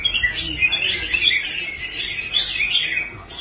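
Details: Caged red-whiskered bulbul, formerly quitting contests, bought and brought back to perform well on the competition rack; lively chirping and warbled notes, rising and falling in quick, uneven bursts.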